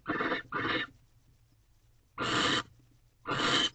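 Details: Male barn owl courting a female with a rodent in a nest box at 6:11 am, 19 March 2023; two short paired hisses, a pause, then two longer harsh hisses.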